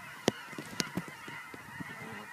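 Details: A flock of geese coming home to Fern Ridge on March 4, 2012: a steady blended chorus of distant honking, overlaid by a few sharp, loud clicks and thumps from a quiet walk.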